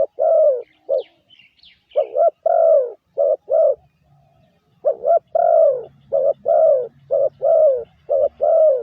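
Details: Spotted dove lure call used to train decoy birds, delivered as rapid series of short and long coos, with a brief lull, a few faint higher chirps, then a dense burst of cooing.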